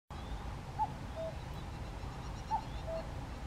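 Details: A common cuckoo in Hokkaido, Japan, on 24 June 2020 in the evening, gives its two-note falling 'cuck-oo' twice, about two seconds apart, over a steady low rumble of wind or distant traffic.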